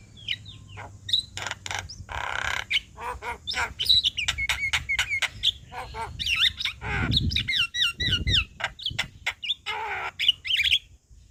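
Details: Javan myna chatter meant for training other birds: dense clicks, rasps and slurred whistles, with two low harsh growls midway, over a steady low background hum.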